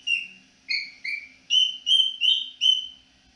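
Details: Indoor pet cockatiel whistling a melodic tune in the evening: eight clear pure notes in a quick sequence, the middle ones rising slightly higher, each note short and bright, with a faint background hum.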